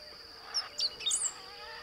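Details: Great pampa-finch in forested savanna of lower Beni department, Bolivia, at the Blue-throated Macaw Reserve, giving one brief high song phrase of sharp thin notes ending in a squeaky slurred note, against constant high insect hum.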